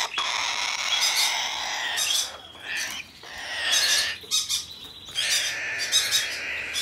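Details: Hand-tame Blue-eyed cockatoo of domestic breeding, recorded 6 December 2019. It lets out choppy, irregular squawks that rise and fall in loudness, with grating, broadband tones and brief silences between outbursts.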